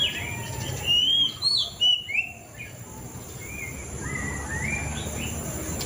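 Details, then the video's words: Loud, bright whistled phrases from a white-rumped shama (murai cacing) in the first two seconds, then softer rising and falling slurred notes trailing off over a faint steady background hiss. "Suara Burung Murai Cacing 2023"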